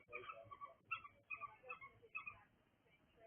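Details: Pet cockatiel making noise indoors: a series of short, harsh chattering squawks in bursts of two or three, with brief pauses between bursts.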